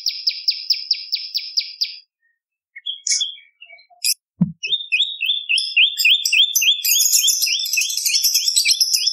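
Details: Lively bar-winged prinia (prenjak lumut) for songbird tutoring and luring: an even run of high chips, a gap with scattered notes and a knock, then a long fast chip series with a higher twittering layer over it.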